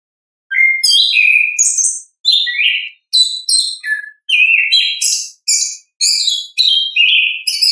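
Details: Natural ngeplong song of an orange-headed thrush: sustained, varied phrases of fluty whistles, buzzy slurs and very high twittering notes, delivered in quick bursts separated by short gaps for about seven seconds, with no background noise.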